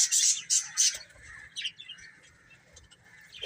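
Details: Chicks eating and playing, opening with three loud shrill peeps in quick succession, followed by softer, sparser chirping and a steady faint whistle-like tone.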